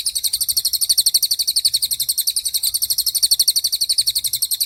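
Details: Cililin delivering a rapid-fire tembakan song, used as training material for murai batu and other songbirds: continuous bright, very high chirps repeated steadily and quickly throughout.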